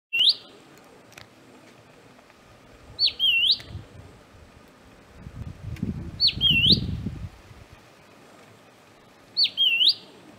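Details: Southern scrub-robin (Drymodes brunneopygia), a single very vocal bird on the ground metres away, gives a high, swooping whistled call about every three seconds, with a low rumble of wind in between.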